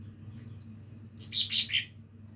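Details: Young lesser green leafbird practising song: faint high thin whistles, then a loud burst of several quick, squeaky, descending chirps lasting under a second, with a quiet low hum in the background.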